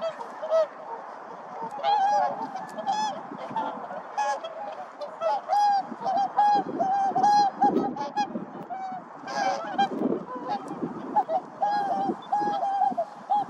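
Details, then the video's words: Whooper swans calling and dancing, trumpeting in loud, bugling honks, several birds calling back and forth in overlapping bursts, with softer chatter and a background hum. "큰고니의 부름과 춤 Call & Dance Of The Whooper Swan"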